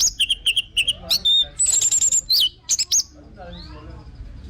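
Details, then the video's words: Orange-headed thrush repeating a short whistled note several times in quick succession, then breaking into a varied run of high whistles and slurs before fading, played to coax other birds into song. "BAGUS UNTUK PANCINGAN BURUNG ANIS MERAH BIAR TELER DAN GACOR"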